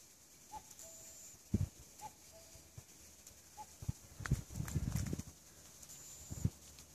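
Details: Common cuckoo heard in the woods at Ilyeong, spring 2014, giving three falling two-note cu-ckoo calls at steady intervals, followed by low thuds and rustling close by and an occasional thin high tone.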